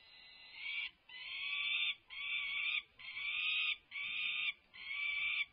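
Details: Resident peregrine falcons at UC Berkeley, recorded on May 24, 2024 during a feisty feeding with tugs of war; six harsh, rasping, drawn-out screams, each near a second long, follow one another with short gaps.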